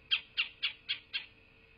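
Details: A bald eagle at its nest in southwest Florida, midday on 8 November 2023, gives a run of five shrill, chittering piping notes, evenly spaced and slowly fading, with a constant faint hum behind.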